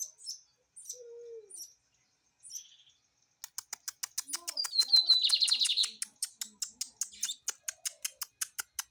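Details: Caged lined seedeater singing: a few scattered high whistled and chipping notes, then a long run of rapid sharp clicking notes repeated about three per second, swelling into a dense buzzy burst midway before the clicks continue.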